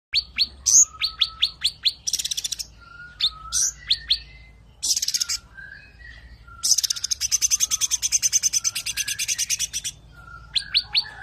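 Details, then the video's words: Sooty-headed bulbul (cucak ranting) in the tembakan rapat, or rapid-burst, song style: sharp high chirps in quick series, dense buzzy rattling bursts, and short lower whistled notes, with almost no background sound. "Tembakan Rapat Burung Cucak Ranting"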